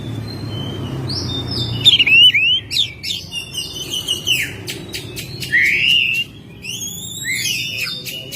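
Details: Oriental magpie-robin kept at home, singing in May: long sweeping whistles, twisting slurred notes and rapid clicking bursts, with a low rumble early on.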